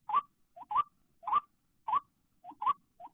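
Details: Calling white-breasted waterhen after rain, heard while trapping, when many emerge, especially late afternoon; a rhythmic series of sharp rising notes about every 0.6 seconds with occasional softer short notes between them.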